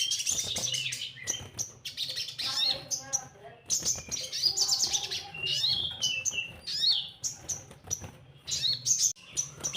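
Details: Lure recording of Orange-headed thrush song for untrained birds: nearly ten seconds of varied high warbling, quick chirps and whistled slides in close-packed phrases, with a low steady hum behind.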